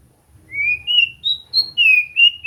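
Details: Singing practice of a white-rumped shama: a short sequence of pure, drawn-out whistles stepping upward then levelling, each note clean and sustained, over faint low rumble.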